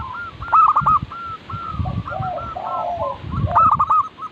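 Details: Local zebra doves in a lure recording for teaching birds to sing: quick repeated clipped coos overlapping from more than one bird, loud bursts at about half a second and three and a half seconds, with low rumbling underneath.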